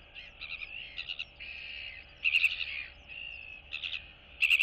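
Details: Royal albatross chicks in a colony greeting neighbours on 9 September 2022, one still downy on neck and chest: bursts of rapid clattering pulses alternate with drawn-out nasal tones, over a steady windy hiss.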